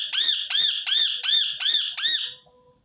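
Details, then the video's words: Six strident, arched screeches from a rose-ringed parakeet, evenly spaced about every third of a second, then a faint hum as the calling stops; repeated to set other birds singing. "أقوى صوت ببغاء درة متكرر | سيجعل طيورك تغرد دون توقف"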